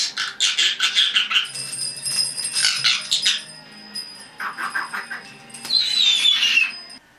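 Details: Pet red-bellied parrot, a young female about 10.5 months old, chattering indoors: bursts of harsh, noisy squawks, then a pure whistled tone held high, more raspy bursts, and a wavering whistle near the end.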